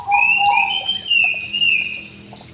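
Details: Brief phrase from a white-rumped shama kept in an aviary: a low doubled whistle under a long, wavering high whistled slur that fades away.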